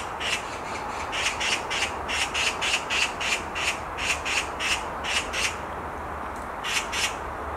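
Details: Long run of rough, rasping screams from a black magpie on a tree branch, around four notes per second, with a pause near the end before two final calls.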